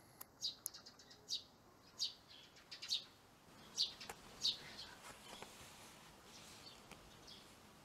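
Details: Eurasian tree sparrows, a pair, moving into a nest box built by a child after their former nesting spot, used for raising young until last year, was blocked; sharp high chirps repeated irregularly, about ten in eight seconds, over faint background noise.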